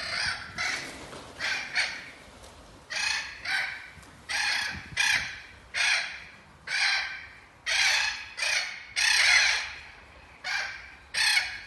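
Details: Spix's macaws in captivity, the first group selected to go back to Brazil, held in a huge flocking aviary, giving a steady series of hoarse, grating squawks, roughly one every second, with brief pauses between bursts.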